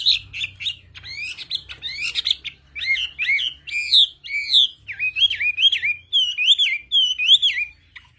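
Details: A Chinese hwamei of a wild-caught Central Highlands, Vietnam, mountain-forest strain sings a loud, varied run of rich, looping whistles, quick clipped notes at first, then slower slurred phrases repeated about twice a second.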